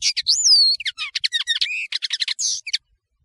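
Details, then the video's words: A European serin, named nino in Algeria and camachu in Morocco, sings for a tutoring recording: an opening swooping whistle, then a hurried cascade of thin, metallic, jingling notes and short buzzes. "تغريد طائر التفاحي"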